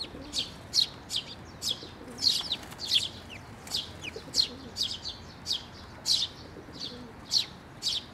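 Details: Sparrows, including fledglings that have left the nest, flying in to a bridge over water at a shrine to be fed, recorded 11 May 2024: sharp high chirps repeated rapidly and irregularly, about two or three per second.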